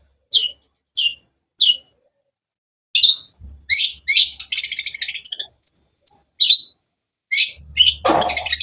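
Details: Long-tailed shrike singing: three evenly spaced sharp chirps, then a varied run of buzzy trills and clear whistled notes, ending in a harsh burst with a short thump.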